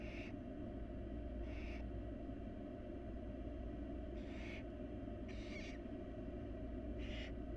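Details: Begging from wild barn owl chicks as the mother brings food to the nest box. Rasping, broadband hisses come in five bursts at uneven gaps, over constant low-pitched background droning.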